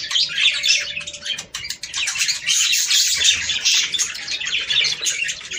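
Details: Several budgerigars chattering, a sound used to encourage breeding; rapid, overlapping high chirps and scratchy warbles pour out nonstop, with a short faint tone near the start.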